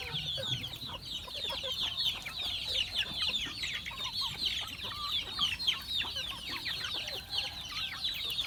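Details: Chickens being fed on a farm; a dense, continuous chorus of high, thin peeping chirps from many birds overlaps throughout, with steady low background noise.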